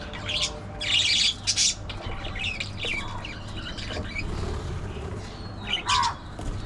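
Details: Budgerigar chatter: a pair of harsh, scratchy, noisy bursts in the first two seconds, softer scattered chirps in the middle, then a louder squawk near the end, over a steady low hum throughout.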